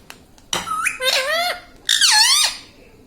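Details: Pet parrot in a room, saying "Mummy": two nasal, voice-like phrases with gliding harmonic tones, the second dropping sharply in pitch, separated by a short break.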